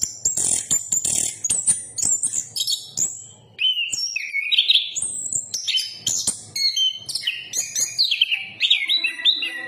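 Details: Anis kembang (chestnut-capped thrush) pouring out a long varied song: bright high whistles, then lower slurred notes that rise and fall, then rapid sharp notes. A faint low hum sits underneath.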